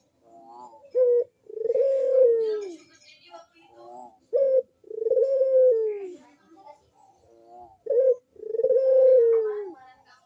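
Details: Three cooing phrases from a Barbary dove, a lure to make idle doves call: each a brief abrupt note, then a long low coo that arches and falls away, spaced roughly three and a half seconds apart, faint chirping between.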